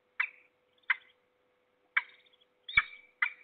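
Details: Peregrine falcon in Trzebież Forest District, recorded 6 September 2022 and calling noisily in the morning: five harsh, rasping, broadband notes spread irregularly over three and a half seconds, with a steady faint hum underneath.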